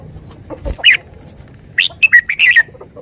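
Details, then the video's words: A Thai decoy red-whiskered bulbul delivers a lively run of clipped, chirpy whistled notes in quick succession after a single opening note. "นกกรงหัวจุก 469"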